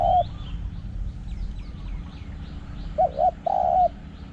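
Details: Spotted dove in Thai dove calling, the end of one long coo then a full phrase of two short coos and a long hollow coo, small birds twittering above.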